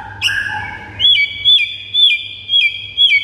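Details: White-rumped shama master song used to provoke pet birds: a low whistle, then a clear high looped whistle repeated five times at roughly half-second intervals.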